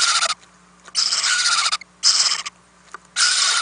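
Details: Owlets in a nest box being fed overnight on 4-10-2018; loud rasping hissed bursts of about half a second to a second, separated by short silent gaps, against a faint steady low hum.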